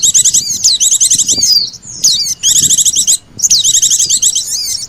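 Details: Oriental white-eye lure recording, mixed with calls of the sogon bird, used to attract birds. Dense high, thin twittering and chattering trills with quick descending slurred whistles, in bursts separated by brief pauses.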